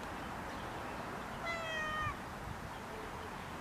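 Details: Common myna (Acridotheres tristis) among groundsel at Kiryat-Yam, Israel: one drawn-out, gently falling harmonic whistle of about half a second, heard over constant broadband hiss.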